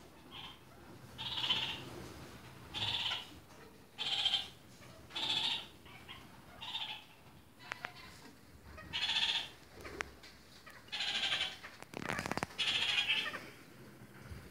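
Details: Red-crowned parakeet, kakariki, of various colour varieties: a harsh, nasal call repeated roughly every second, each note short and buzzy with strong overtones, steady and insistent, plus a few clicks and one louder rustle near the end.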